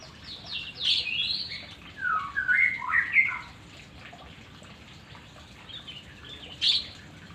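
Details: White-rumped shama in training for long song, beginner stage: loud rich whistled phrases tumbling downward, several swooping notes in quick succession, a pause, then a final bright trill.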